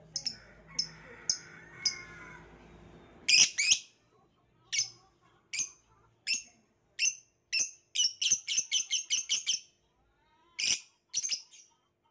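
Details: Violet lovebird giving sharp, high chirps, first spaced singly about a second apart, then a fast run of closely repeated notes, with faint low background murmur early on.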